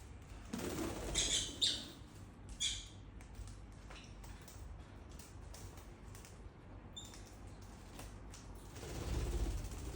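Lovebirds give short, sharp high chirps in scattered bursts, with a few clusters near the start, over low rumbling room noise and some wing flutter.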